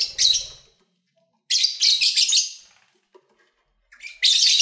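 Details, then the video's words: Pet lovebirds kept by owners, recorded while eating, singing and playing: three bursts of harsh, buzzy, high screeching chatter, the first short, the middle one longest at about a second and a half, with silent gaps between. "1 Hour Lovebird Sounds"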